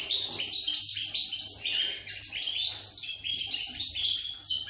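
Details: Fast, sparkling twittering of a European goldfinch, recorded 8 November 2019. Bright chirps and buzzy trills pour out almost without pause, with one brief lull near the middle.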